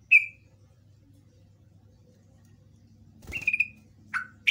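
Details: Yellow-vented bulbul (trucukan) lure recording intended to provoke replies: an opening sharp chirp, a pause, then a rustle with a drawn-out chirp, a lower note and a final bright chirp, over a low hum.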